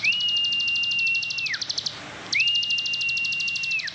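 Plain prinia singing two fast, buzzy, high-pitched trills of about one and a half seconds each, with a steady thin whistle running beneath them.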